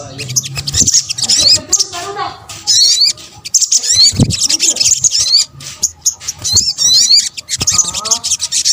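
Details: Sunbird, or sogok ontong, calls combined as bait for birds: thin high chattering and zigzag whistled notes in bursts separated by short gaps, with faint lower warbling notes in places.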